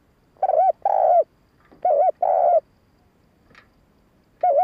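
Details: Spotted dove cooing meant to lure and excite male birds: two paired coos, a short one then a longer held one, repeated after a gap, with a single coo ending the stretch.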